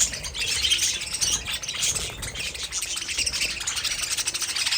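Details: Group of pet budgies chattering, dense overlapping high chirps and trills that stay steady throughout.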